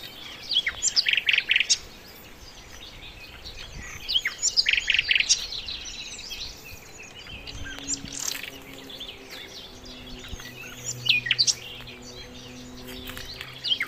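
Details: Sikatan londo flycatcher singing vigorously for songbird training: repeated bursts of dense high chattering and whistled notes separated by short pauses, with a faint low steady hum in the second half.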